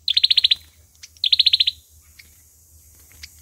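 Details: Fighting song of an olive-backed sunbird kept as a trapping lure: two dense bursts of about eight quick, high, sharp notes, followed by scattered thin chips.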